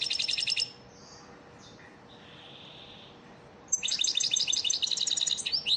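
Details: Caged-bird training song of an elmacık European goldfinch: a burst of quick tinkling twitters, soft thin notes in the pause, then a longer run of rapid, bubbling, high chattering.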